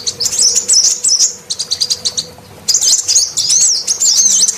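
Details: Lure sound of a female sunbird for prompting males to call: two long runs of excited high, squiggly twitters separated by a short quiet gap, notes rapid and jumbled.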